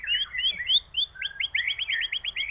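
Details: Aceh white-rumped shama singing: a few bright swept whistles followed by a rapid series of repeated curling notes, loud and clear.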